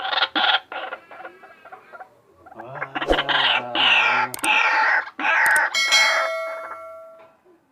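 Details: White-breasted waterhen giving strange calls: a run of short harsh, harmonic bursts in the first two seconds, then longer loud wavering croaks, some with abrupt clicks and a steady low hum beneath.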